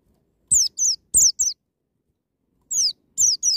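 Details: Wild-style 'ngalas' white-eye song, played to get young birds singing: bright, high notes falling steeply in pitch, a burst of four, a gap of over a second, then three more, with soft thumps beneath.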